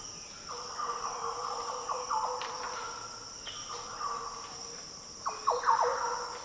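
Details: Liquid, low warbling song of a Green Oriole in the coastal Daintree rainforest, Australia, ending in a louder burst of rich notes, with a continuous shrill insect chorus behind it.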